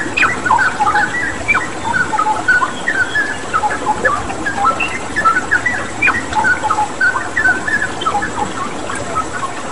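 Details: Energetic straw-headed bulbul singing, meant for training caged birds alongside water-therapy sound: dense, bubbling whistled phrases with occasional sharp upward notes, running nonstop over a flowing-water hiss.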